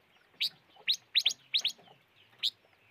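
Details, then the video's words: Five-coloured bird calling with six short, sharp, upslurred chirps, some in quick pairs, spaced irregularly over three seconds against a quiet background. "Suab noog rheeb quaj chim ngũ sắc"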